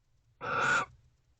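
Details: Barn owl at nest box Owl Box C shortly before 1 am on 12/13/23, during the evening's second face-off between owls: a single rasping, noisy screech lasting under half a second, with a quiet background.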